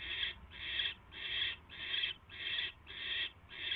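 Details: Night of 22 January 2016 at a barn owl nest, mouse brought in: seven loud, breathy hisses repeated about every half second, each swelling and fading, with quiet low hum beneath.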